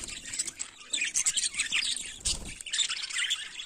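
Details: Morning chatter of budgerigars: overlapping bright chirps and warbling squeaks, steady and busy throughout, with a short low thump or rustle around two and a half seconds.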